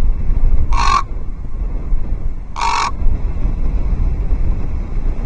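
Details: Common raven on an osprey nest at Loch Arkaig, 12 October 2023, making strange clucking sounds to warn off a second raven; two brief gruff notes about two seconds apart against a low windy background.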